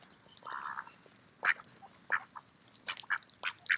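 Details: Mallard ducks eating in a park on an autumn day: a brief buzzy call, then several short, sharp quack-like notes spaced irregularly over a soft background hiss.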